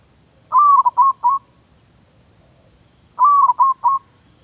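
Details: Zebra dove kept as a decoy bird in Thailand, during training: two phrases, each a longer falling coo followed by two or three quick clipped coos, about three seconds apart.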